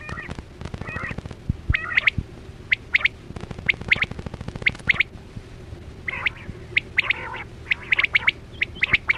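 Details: Chora batera calls played for quail hunting: clusters of crisp high notes, doubled and tripled, scattered irregularly after a stretch of buzzy crackle, over a steady hum.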